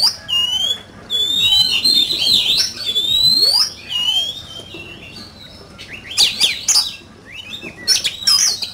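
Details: Competition singing from an oriental magpie-robin, a fiery duel: clear, sweet whistles sliding up and down, looping warbles and quick chattering notes, with a softer pause midway before bright, sharp phrases resume.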